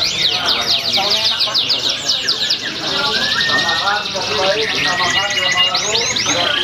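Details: Singing-competition canary, Pringsewu, 22 September 2019. It opens with loud descending swept notes, then shifts to busy rolling trills and short rising whistles as other birds join in and people talk faintly.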